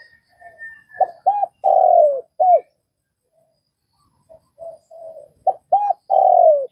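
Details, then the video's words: Vietnamese spotted dove cooing: soft murmured notes build to two crisp arched coos and a long downward-sliding coo, then a final clipped note. After a pause the sequence repeats, with a faint thin whistle early on. "Tiếng cu gáy Việt"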